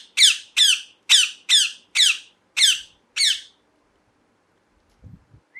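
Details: A parrot repeats seven harsh, buzzy screeches at a steady pace, roughly two a second, then falls silent apart from faint low knocks and a brief thin whistle at the end.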